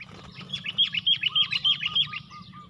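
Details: Four sooty-headed bulbuls against one fighter at a trapping lure give a loud, fast series of sharp chirps with even pulses. Softer short notes repeat underneath.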